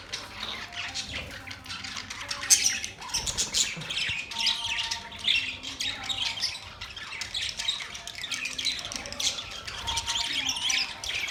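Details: Softer budgie chatter of thin, high chirps and scratchy warbles, with a sharp peak near two and a half seconds, then an even, busy twitter.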